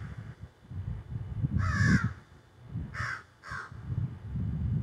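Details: Crows squawking from trees behind a yard, phone recording: three hoarse caws, the first long and loud, amid strong low rumbling and handling noise.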